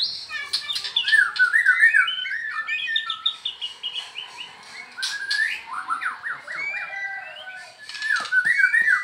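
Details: White-rumped shama in the evening, singing a rich run of varied whistled phrases, slurred notes and quick trills, with other bird notes mixed in.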